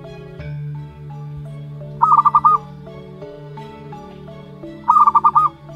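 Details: Young zebra dove of local wild origin, one month old, utters two quick stuttered series of about five notes, nearly three seconds apart, against a background of sustained music.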